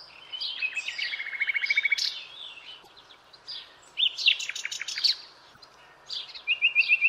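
Common nightingale singing rich, varied phrases: a fast run of repeated whistled notes, harsh chattering bursts, then a quick rising trill, with pauses between phrases.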